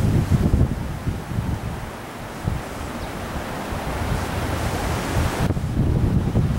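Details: Strong wind buffeting a microphone with a surf-like roar, low and continuous, and no bird calls.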